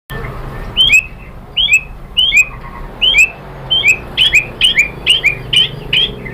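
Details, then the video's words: White-rumped shama phrases used to provoke other birds into answering: a repeated two-note whistled call, a short upslurred note then a falling one, given about every half second to a second over a steady low hum. "OCEHAN MURAI BATU bikin NYAUT jadi EMOSI NYAUT GACOR BONGKAR MATERI ¦ PANCINGAN MURAI ¦ SHAMA BIRD"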